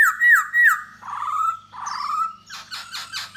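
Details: A Da Bò laughingthrush sings and dances to win over a female. Two bright looping whistles are followed by long, slightly rough falling slurs, then a burst of fast high chattering notes.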